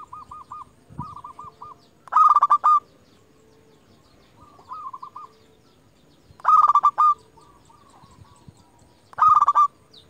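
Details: Zebra dove used to lure and provoke rivals: short runs of gentle bubbling coos alternate with loud, harsh, stuttered bursts every few seconds.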